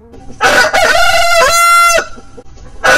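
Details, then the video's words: Rooster crowing with a loud, rich harmonic cock-a-doodle-doo lasting about a second and a half, ending abruptly, followed by quiet and the start of another crow. "Rooster Crowing"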